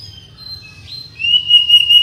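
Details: Murai batu, the white-rumped shama, in tutor and lure song: thin faint high whistles, then a strong sustained pure whistle with slight wavering, a low background hum underneath.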